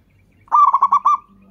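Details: One phrase from a local zebra dove, an Indonesian lure bird for drawing replies: five quick, evenly spaced mellow coos, the final one slightly stretched, then silence.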